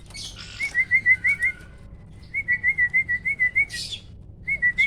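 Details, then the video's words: Captive hybrid starling, a cross between Asian pied starling and black-winged starling, singing the 'roll tembak' style used as a vocal tutor: three bursts of quick, loud, even whistled notes, five to eight per burst, with brief rustling noises between. "BURUNG JALAK HYBIRD || GURU VOKAL SUARA ROLL TEMBAK."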